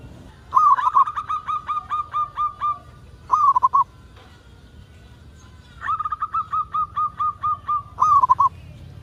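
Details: Zebra dove, local type, singing to spur other doves into calling: a trill opening into a row of evenly spaced soft coos, a brief warbled burst, then a second matching phrase after a pause.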